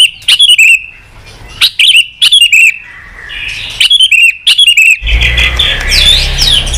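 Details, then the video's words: Chòe lửa, a white-rumped shama, pours out sharp clipped whistles in short bursts every second or so, over a thin steady tone, then a loud rushing noise with blurred high notes takes over after five seconds. "Kích Chòe lửa hót nhiều giọng, Căng lửa, chòe lửa đánh đuôi kích cực nhạy.luyện chòe lửa hót nhiều"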